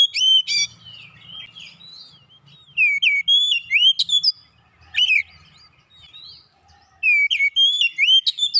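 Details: Oriental magpie-robin singing as a lure to prompt other birds to sing: loud, sweet whistled phrases mixing upslurred and downslurred notes with sharp chips, delivered in several bursts with short gaps, faint low hum beneath.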